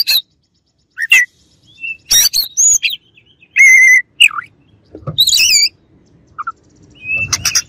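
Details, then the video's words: Oriental magpie-robin song used to rile a rival bird: bright whistled phrases mixed with sharp chirps, buzzy trills and short rising and falling notes in quick, irregular bursts, with brief pauses between phrases. "KACER LAWAN AUTO EMOSI"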